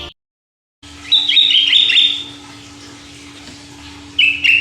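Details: Sooty-headed bulbul in energetic, non-stop song: after a short silence, a bright chattering phrase of quick slurred notes lasts about a second, then a second burst begins near the end, over a steady low electrical hum.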